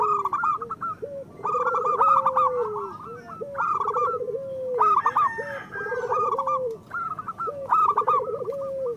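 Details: Zebra dove of local stock sings repeated phrases of rolling trilled coos, each closing on a held falling note, about every two seconds. The song serves as a lure and therapy for birds slow to sing. Busy higher chatter of other birds overlaps.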